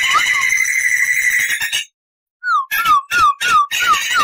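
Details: Crested laughingthrush tutor song: a dense buzzy rolling trill that stops abruptly, a short silence, then a string of loud clear whistled notes, each sliding downward, repeated about three per second.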